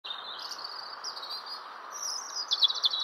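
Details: Robin singing, a run of high, thin warbled phrases with rapid twittering trills toward the end, over a steady broad hiss of background noise.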